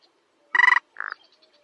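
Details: A sparrow-sized rail of grassy meadows and wetlands, detected only by voice, gives one harsh stuttering tapping note and then a shorter, softer buzzy grunt. The recording is quiet, with faint high squeaks at the end.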